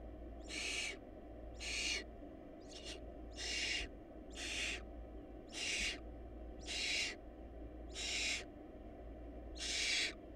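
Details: Barn owls in a hungry nest produce a long run of harsh wheezing hisses, about nine short bursts in ten seconds at an even, slightly irregular pace, with a low constant hum beneath.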